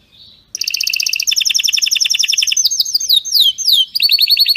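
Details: Canary delivering a strong, faultless training song: a soft note, then dense fast trills, a run of sweeping downslurred whistles, and a final bright roll.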